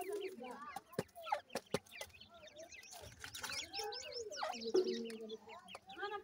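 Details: Several francolin chicks chattering as they are fed, with low clucks, wavering mid-pitched notes and clusters of thin rising chirps, with a few sharp taps.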